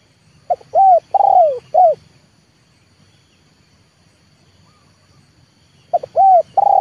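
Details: Trained decoy spotted dove of the 'leopard' type calling to lure wild doves down into a yard. A four-part phrase: a short note, an arched coo, a long rolled coo sliding downward, then a clipped coo. A second phrase begins after a pause.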